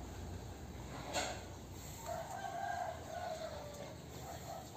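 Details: A free-range rooster crows in a drawn-out, wavering call, with a sharp burst just before it.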